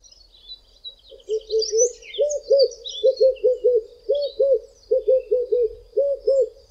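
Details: Two Red-eyed Doves singing their "I am ... a red-eyed dove" song from the tops of two tall trees on a hot day in South Africa; low rounded cooing notes in grouped phrases, with faint high chirps of other birds above.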